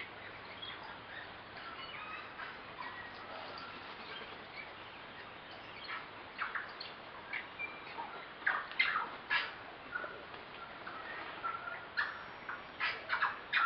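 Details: About eight tui socialising in a flowering kowhai tree on the hike from Karekare Falls, Waitakere hills, West Auckland, in September spring; irregular bursts of whistles, clicks and sharp notes, growing busier and louder toward the end, over a steady background hiss.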